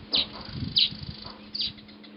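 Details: Masked weaver building its nest at Huab Lodge, Namibia: three sharp, high chirps spaced about two-thirds of a second apart over low rustling.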